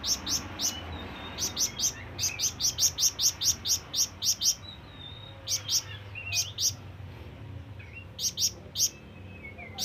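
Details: Repeated high, sharp chirps from a flamboyan bird calling for companions or rivals, coming in rapid clusters with irregular pauses between groups; faint soft whistles sound in the background.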